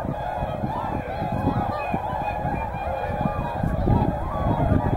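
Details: Massed whooper and tundra swans at Hyoko, Niigata, sometime between morning and evening, honk and trumpet in overlapping bursts over a heavy, low rumbling background.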